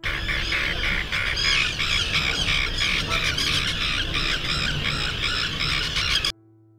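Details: Several common terns give harsh, grating, rasping calls, overlapping in a steady, busy chorus, with faint music possibly underneath; Common tern call.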